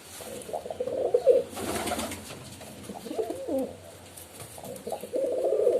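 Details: Pigeons give low, rolling coos in separate bouts with quiet gaps between them, over a faint background hiss.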